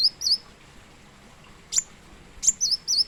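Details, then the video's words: Plain sunbird, locally kolibri wulung, with a few sparse, very high notes: a looping squeak, isolated sharp ticks, then two curling whistled notes at the end. "Kolmun ( Kolibri Muncang ) / Kolibri Wulung"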